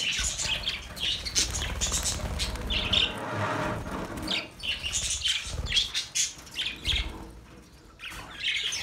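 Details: Budgerigars chattering in overlapping bursts of scratchy chirps and squawks, with brief gaps, soft low thumps and rustling underneath.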